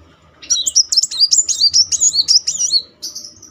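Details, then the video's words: Rolling song of a muncang sunbird, played to coax a stalled bird into singing: a continuous rapid run of high, wavering, whistled trills lasting nearly three seconds, then a short high buzzy note. "Kolibri Muncang gacor ngeroll || pancingan terapi memancing emosi Muncang macet."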